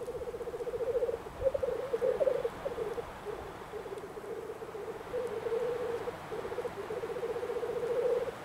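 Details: Small lek of only three black grouse heard from a hunting hide: continuous bubbling, rapidly pulsed low rolling phrases running one into another across the whole stretch, over faint background noise.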